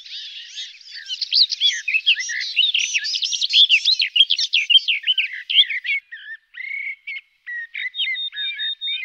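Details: A garden warbler delivers a long, even-flowing warble of mixed twittering and whistled notes, then trails off into scattered softer phrases and thin, drawn-out whistles.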